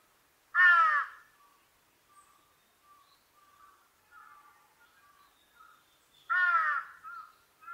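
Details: Two loud hoarse caws from a large-billed crow about six seconds apart, with soft distant calling in between.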